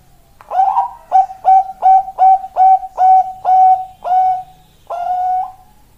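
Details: Female Bangkok zebra dove calling a male, in a lure recording: a burst of rhythmic coos that slow toward the end, the last two notes longer and more drawn out.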